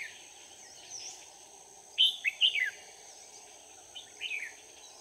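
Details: Red-whiskered bulbul decoy at a trap, singing to call in wild bulbuls, March 2019: a single clear, bubbling phrase of several quick slurred notes, then a softer answering twitter, all over a continuous insect hum.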